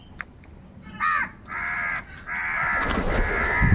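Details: Harsh, raspy caws from crows fighting over food. A short caw is followed by long, drawn-out grating calls that nearly overlap, growing noisier toward the end over a low rumble.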